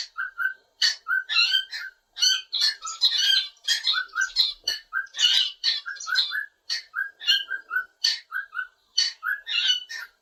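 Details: A domestic cockatiel that sings all day and likes to perch on a curtain bar gives a long, lively string of whistled notes and scratchy chirps, phrases repeated in rapid bursts.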